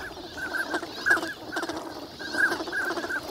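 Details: Flock of wintering migrant ducks at Nagahama on Lake Inawashiro, Japan, on a fine winter morning; short clipped nasal notes repeat irregularly, about three or four in quick bursts, over lapping water and flock chatter.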